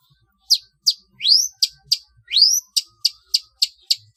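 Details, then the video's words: Long-tailed shrike training song for competition birds, trotol style: a steady run of sharp, high chirps about every third of a second, broken by two longer rising whistled sweeps. "MASTERAN CENDET PALING TOP DAN ANDALAN MATERI BURUNG LOMBA | MASTERAN TROTOL CENDET JUARA"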